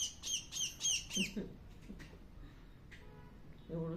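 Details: Four loud, piercing begging squawks come in quick succession from a hungry bird being hand-fed. Marathi speech follows.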